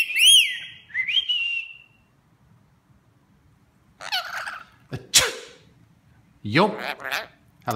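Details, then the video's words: Rainbow lorikeet kept as a pet, imitating sneezes and human talk: opens with a loud whistled slurred note and a shorter upward whistle, then after a pause raspy speech-like syllables and an explosive sneeze-like burst. "Talking rainbow lorikeet"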